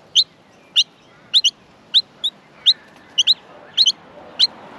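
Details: Australian miner babies in the nest being fed, producing high, piercing chirps in singles and quick pairs, roughly every half second, against a quiet background.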